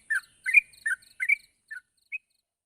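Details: Sooty-headed bulbul calling a rival: four quick bubbly, warbled chirps in close succession, then two softer, isolated notes trailing off into quiet.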